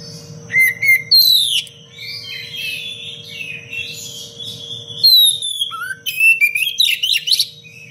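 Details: Oriental magpie-robin, in active voice, delivering a dense, sharp 'cengkok rapat pedas' song used as a training master for other birds: clear whistled notes and descending slurs, a brief pause, then rapid chattering and high whistles, over a steady hum.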